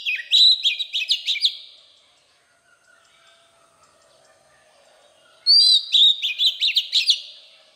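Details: Oriental magpie-robin giving its standard wild forest song to stimulate young birds. Two rapid phrases of piercing, stuttering high notes, about a dozen each, are separated by roughly four seconds of near silence.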